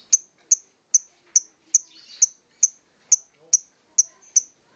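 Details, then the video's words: Lovebird singing in the ngokop style: sharp, very high, clipped chips repeated at an even pace about every 0.4 seconds, with faint soft twittering between them and otherwise near silence. "Love bird scoopy Ngokop"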